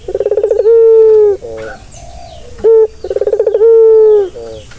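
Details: Soothing coo of a turtle dove for a stressed bird: twice a buzzing rolling trill swells into a sustained low note and fades, separated by a brief sharp note.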